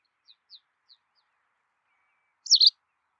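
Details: White wagtail: a few faint, brief high ticks, then one loud, abrupt double-noted chirp with a slurred, descending feel.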